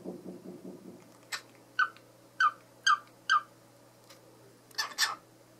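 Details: Male cockatiel wooing his favourite toy: a run of soft low chatter, then a series of sharp, bright chirps about half a second apart, ending with a pair of louder, harsher notes, heard indoors.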